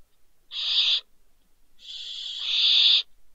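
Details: Young barn owls, two fallen from a balcony in Spain's Ebro Delta at Riet Vell reserve, late December: a short harsh hiss followed by a longer swelling rasping screech, quiet otherwise.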